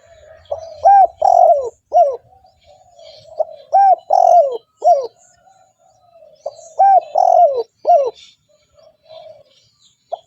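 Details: Spotted dove calling vigorously, used as a lure for wild doves: three bursts of mellow, low cooing phrases. Each is a short lead note, a rolling double coo and a falling end note, with soft murmurs between and a faint low hum.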